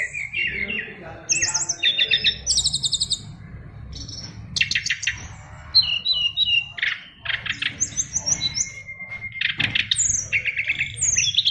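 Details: Fighter-class caged Oriental magpie-robin from a Bali line pouring out a rich, crowded song of sharp chirps, rattling bursts, trilled runs and a held whistle, phrases following each other almost without pause over a low hum.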